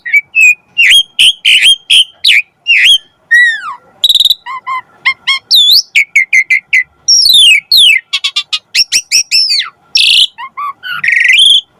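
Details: Singing Asian pied starling, or jalak suren, in a long varied training and trigger sequence: dense stream of clear whistles, slurs, falling notes and rasping bursts, almost without pause for about twelve seconds.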